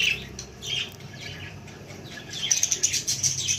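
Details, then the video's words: Baby budgerigar giving a few squeaky calls, a rasping pause, then a fast run of high thin chirps and whistled squeaks. "Cute baby budgie video"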